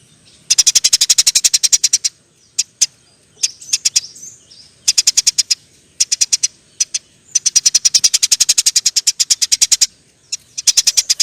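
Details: Eurasian tree sparrow in energetic, long rapid chirping, the nyerecet style, used as a training recording for songbirds; bursts of fast, evenly spaced high chirps last one to two seconds, separated by short pauses and a few single notes.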